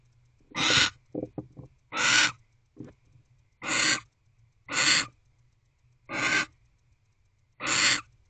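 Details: Wild barn owl inside an owl box at 9:45 pm on 25 December 2023, waiting for its mate. It gives a series of six harsh, rasping screeches, each about a third of a second long, spaced roughly every one to one and a half seconds, with brief softer clicks between them.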